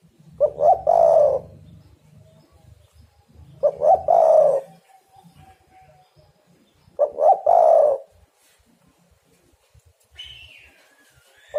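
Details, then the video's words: Spotted dove calling vigorously, a call used as a lure for catching birds. Three mellow cooing phrases, each a short stutter then a drawn-out hoarse coo, about three seconds apart, with a higher thin whistle near the end. "derkuku super gacor pikat dapat burung bagus"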